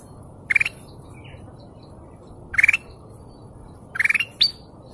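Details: Golden canary giving three short, bright chirping bursts spaced about one to two seconds apart, each a quick rising twitter lasting a fraction of a second, with a faint click at the end and quiet low hiss behind.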